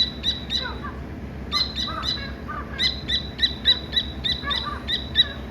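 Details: Dakni teetar chick peeping: shrill, clipped chirps in fast rhythmic runs separated by short gaps, some faint lower twittering notes between, over a faint background drone.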